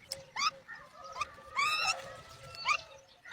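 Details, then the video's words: Myna chicks not responding to their mother's feeding call; a myna gives a run of harsh, squeaky notes with rising whistles and rasping bursts, about one a second, over a faint hum. "Myna Babies not replying to Sound of Mother for Feed!"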